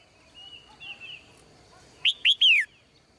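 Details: Morning song of a female bird kept in a cage. Faint thin whistles are followed by a loud burst of three fast, descending chirps at the close.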